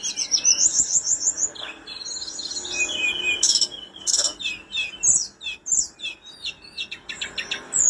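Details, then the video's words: Tledekan gunung, a mountain flowerpecker, singing energetically: dense, very high rapid trilled twitters and repeated chips, with bursts of buzzy stuttered notes throughout. "burung tledekan gunung gacor"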